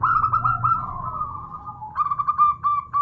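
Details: Female local zebra dove calling to a male: a run of clear tonal cooing notes that slide gently downward, then a short burst of quick repeated notes. Faint low background rumble.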